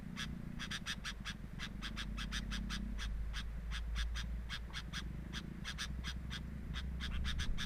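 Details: Sooty-headed bulbul at the nest, captured by a camera placed there: dense, hurried sequences of short, sharp chipping notes, roughly three per second, unevenly spaced, over steady low-pitched background noise.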